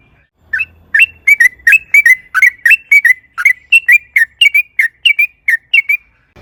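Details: Sooty-headed bulbul singing a long rolling ropel panjang phrase used as a lure: steady series of doubled whistled notes, each pair rising then dropping, repeated roughly every third of a second in a near-silent background.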